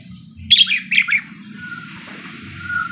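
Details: Parakeet chirping actively: two short bursts of high, sharp chirps and trills near the start, then a quiet stretch with a faint low hum and a soft thin whistle.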